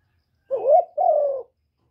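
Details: Single spotted dove phrase for stimulating decoy birds: a rising, wobbling coo run straight into a longer, level then slightly falling coo, with silence around it.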